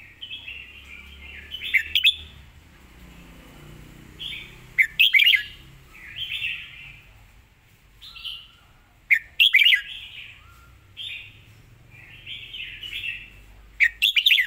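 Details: Red-whiskered bulbul singing with clear, well-phrased delivery and a quick, crisp voice: short bright whistled phrases, some with sharp clicky notes, repeated at uneven intervals every one to three seconds over faint low background hum.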